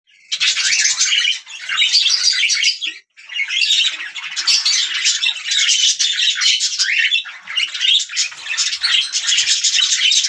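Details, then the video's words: Budgerigars chirping and chattering in a dense, continuous stream of scratchy, buzzy warbles and squawks, with one brief pause near three seconds. "Budgiea chirping"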